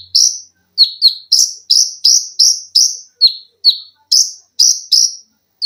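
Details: Olive-backed sunbird (konin) cage bird in fast 'tembakan' song, a dense run of piercing high chips, alternating downward-dropping notes and brighter rising-falling ones, roughly three per second.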